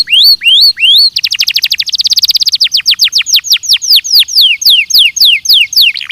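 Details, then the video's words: Belgian canary training song opening with three rising whistles, then an accelerating rapid trill followed by a long run of downward-swept whistled notes repeated about four times a second. "ESPETACULAR canário belga,,! 30 MINUTOS DE TREINAMENTO DE BELGIUM CANARY VOCÊ VAI CANTAR MUITO"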